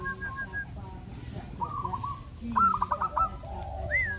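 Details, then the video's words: Zebra dove song serving as a coaching track to encourage doves to sing: a run of short bubbling trills, rolling and stuttered, with faint whistled notes, a rising high slur near the end, and low background rumble. "BIKIN PERKUTUT JADI RAJIN MANGGUNG"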